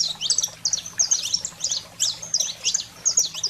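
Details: Saffron finch song of the 'fogo selvagem' style, played to fire up pet canaries: rapid bright chirps and short buzzy notes in quick bursts, high-pitched throughout, with a faint low hum underneath.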